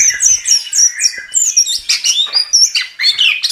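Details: Gacor song of an anis kembang (chestnut-capped thrush): quick, bright whistled notes and slurred chirps tumbling in close succession, about two phrases per second, clear and loud.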